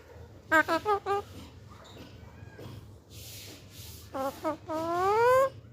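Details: Green parakeets in Pakistan, described as very hungry, give loud harmonic calls: a quick burst of four short notes, then a few more short notes and a long rising wail, with a hiss in the background.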